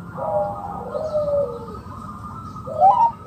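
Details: Local zebra dove used as a lure to draw other doves into calling, giving soft cooing phrases with a short rising note near the end, over a faint steady hum.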